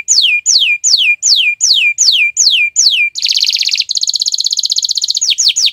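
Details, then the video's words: Canary song recorded on a Friday morning: a series of loud descending whistled slurs about two per second, breaking into a dense rattling buzz and a rapid even trill before the slurs return. "Gacoran Burung Kenari di Jumat pagi"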